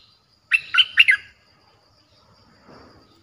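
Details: Streak-eared bulbul lure song for wild birds, a quick burst of four bright, bubbly notes, followed by quiet with a faint low rustle near the end.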